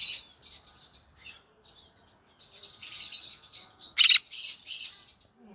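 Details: Green-cheeked conure in the evening, soft twittering chatter building into a continuous warble, broken by one loud harsh squawk and a few more chirps.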